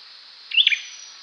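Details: A single brief olive-backed sunbird call: a quick high twisted chirp of two or three linked notes with a buzzy edge, lasting under half a second, over faint hiss.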